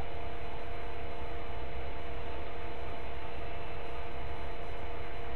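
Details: Constant low rumble and mechanical hum with steady hiss throughout, with no animal sound heard.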